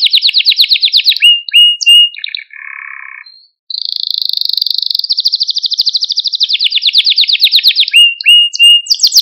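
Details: Male Maltese canary song meant to stimulate other canaries, with quick high trills and short chips, a lower buzzy phrase, a brief pause, then a long fast rattling trill.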